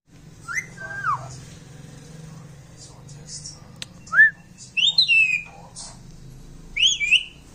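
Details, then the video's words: Pet talking parrot indoors giving clear rising and falling whistled notes, a few sharp upslurred calls midway and a cluster of high squeaky whistles near the end, over a low indoor hum. "Mujhe bolne do || talking parrot"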